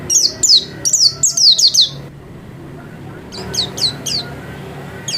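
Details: White-eye kept at home, singing actively: a quick burst of high, falling chirps, a pause of over a second, then another short chirping series.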